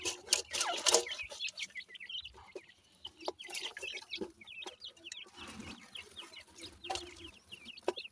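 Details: Captive grey francolin chicks from Punjab, Pakistan, feeding and uttering many soft high peeps in quick irregular series, with loud clicks and rustling bursts in between.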